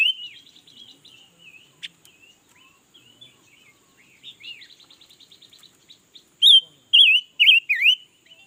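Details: All-day song of a red-billed leiothrix: soft warbled chirps, a rapid run of ticking notes, then three loud, swooping, wavy whistled phrases at the end.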